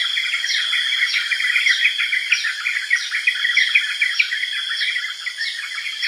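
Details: Energetic chirping of yellow-vented bulbul, quick tumbling notes in a busy chorus, accompanied by evenly spaced, higher falling notes and a steady background insect whine.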